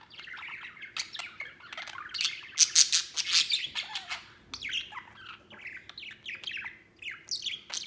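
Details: Pet white male budgerigar playing outside its cage, another budgie nearby: dense, lively warbling chatter of rapid high chirps, squeaky notes and buzzy bursts, louder in the middle, then scattered falling chirps.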